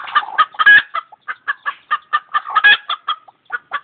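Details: Chickens clucking and screeching, a dense run of short clucks with a couple of louder harsh squawks in the middle, several birds overlapping.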